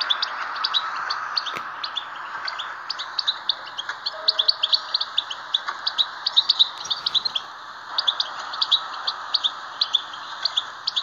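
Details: European goldfinch song used to stir captive goldfinches: rapid, tinkling twitter of short high notes in quick succession, over a steady mid-pitched hiss in the background.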